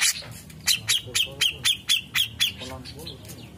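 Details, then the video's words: Song of a grey-cheeked bulbul, used as master material for training songbirds: a steady run of about eight sharp, strident notes at roughly four per second, each with a whistled accent, fading into softer chatter. "Cucak jenggot Mantul Ampuh jadikan masteran burung kicau"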